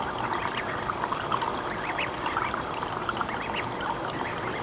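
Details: Month-old mallard ducklings living with their mother in a school courtyard in spring: many brief, rising peeps tumble out in quick, irregular bursts, nearly nonstop, over a constant background hiss of trickling water.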